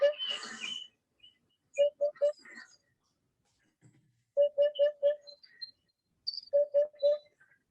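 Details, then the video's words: A Eurasian hoopoe gives soft, low, hollow 'oop-oop-oop' notes in quick runs of three or four, each run repeated every couple of seconds, during the nesting season; a person speaks briefly at the start. "So I found a hoopoe. It sounds really interesting."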